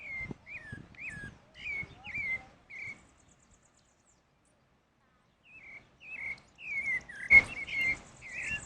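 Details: Pale-breasted thrush singing in the wild: clear slurred whistled phrases, each quickly rising then falling, delivered in a brisk run, then a pause of about two seconds before the thrush resumes with more varied notes.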